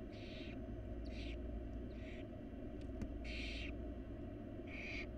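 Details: Begging barn owl nestlings, wild birds in a research nest box, fed by their mother. Five rapid rasping hisses in about five seconds, with one sharp click, over steady low droning background noise.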